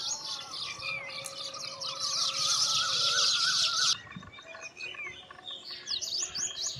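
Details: Baya weavers around several nests while building; a loud, busy wash of high chirping and trilled chatter that cuts off sharply midway, followed by scattered short sweeping chirps and thin whistles.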